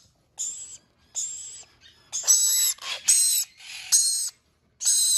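A red-collared lorikeet gives about eight harsh, grating screeches, some short and some drawn out, coming in irregular bursts with brief pauses between.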